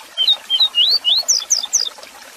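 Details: Double-collared seedeater (coleiro) singing a 'tui tui zel zel' style song used for tutoring and managing birds: a quick run of clear whistled slurs, some rising and some falling, then sharper descending notes, in about two seconds against a quiet background.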